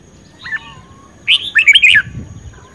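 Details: Red-whiskered bulbul, a captive contest singer in strong form: a soft falling note, then a loud rolling warbled phrase of several quick notes, over a low hum and faint whine.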